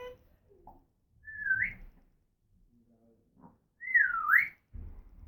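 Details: Pet female African grey parrot making noises: two loud whistled sweeps, the first rising near the middle and the second dipping then rising again, with soft low rustling between them.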